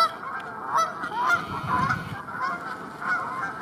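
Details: Canada geese feeding together in a northern French pasture give a steady chorus of overlapping nasal honks, with a few louder calls standing out and a low rumble in the background.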